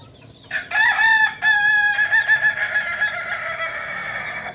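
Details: Crowing of a kukuak balenggek cock, native to Solok in West Sumatra: two short harsh bursts lead into a long, wavering, pulsing tail that slowly fades over about three seconds.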